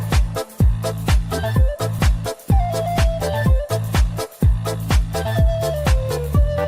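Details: Upbeat electronic dance music with a steady thumping beat of about two beats a second, bright synth chords and a high melodic line; no animal calls.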